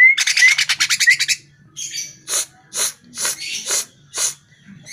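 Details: A greater green leafbird (cucak ijo) song for provoking caged birds into singing opens with a fast buzzy trill of high notes, then harsh, scratchy bursts repeated about every half second.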